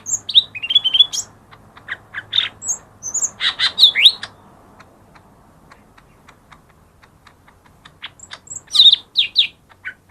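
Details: Lesser green leafbird song used as a lure to prompt reluctant birds to sing: bright, high whistled and slurred notes with quick chirps in bursts near the start, around four seconds, and again near nine seconds, with quiet gaps between.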